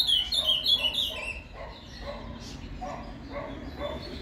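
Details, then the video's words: Ultramarine grosbeak song in the Paraná canto fibra style for warming up a caged azulão: an opening second of quick, bright warbled notes, followed by softer, lower repeated chirps against steady background hum. "ESQUENTE seu AZULÃO com esse PARANÁ CANTO FIBRA !"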